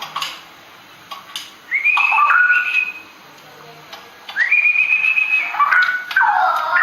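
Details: Straw-headed bulbul, a forest bird, sings in ropel style: clear whistled notes swooping upward into long level tones, then a warbled descending flourish, phrases separated by quiet pauses.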